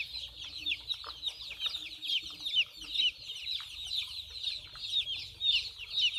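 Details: Baby chicks chirping while playing and drinking water: piercing little peeps, often dropping in pitch, repeated roughly twice a second over a constant bed of quieter chick calls.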